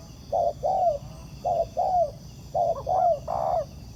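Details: Low mellow coos of a wild spotted dove answering a ground decoy at a trap, three quick pairs of a short note and a longer falling note, the last one broader and slightly rougher.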